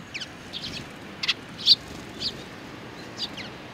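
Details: Sparrows with a chick on 3 July 2019. Quick high chirps come in small clusters, one louder sharp note near the middle, then fainter calls trailing off over quiet background.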